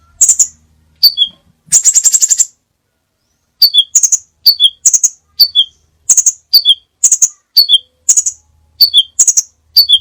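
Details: Crimson sunbird in a varied tutor recording for caged birds: a rapid buzzy rattle of high notes, a brief silence, then paired chips, each high piercing note followed by a lower clipped one, repeated steadily.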